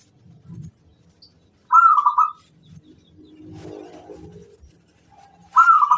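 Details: Local zebra dove master song for training birds: two short bursts of rolling, warbling coos several seconds apart, with soft low thumps and murmuring background sounds between them.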